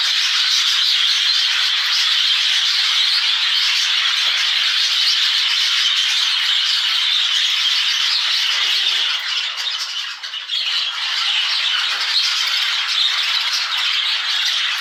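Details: A flying colony of exhibition budgerigars keeps up a dense, unbroken wash of high chirps and warbling chatter.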